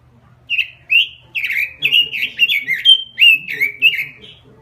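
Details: Continuous 'gacor' lure singing from a robin: a rapid run of bright, slurred warbling notes, several per second, each dipping and rising, with a faint low electrical hum beneath.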